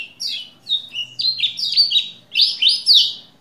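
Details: Lombok white-eye in energetic song, used to provoke a male into singing: a fast jumble of high buzzy, warbling notes, slurred and twittering, in several quick bursts with no pauses.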